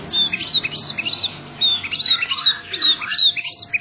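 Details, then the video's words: White-rumped shama, a competition bird praised as a loud-voiced champion, singing dense bursts of high, sharp whistled notes in quick succession. A steady low hum runs underneath. "Murai batu GLADIATOR JR juara suara kenceng"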